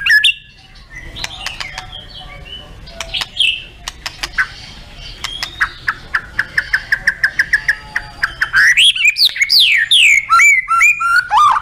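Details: White-rumped shama contest song with full fill-in phrases: a run of dry clicks and a steady rapid trill, then a loud burst of varied, sweeping whistled notes.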